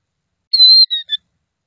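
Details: Killdeer with young chicks: one drawn-out high whistled note that slurs slightly downward, followed quickly by two shorter, falling notes, clear against a silent background.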